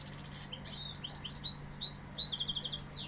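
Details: Sevillian goldfinch in full song: loud, rapid, high twittering, liquid chirps and short buzzy trills packed closely together, ending in a descending sweep, with a faint hum below.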